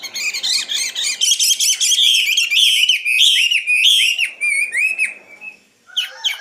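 A common nightingale sings a loud, varied song: a burst of rapid repeated notes, then a run of high slurred phrases, ending in a sudden new motif.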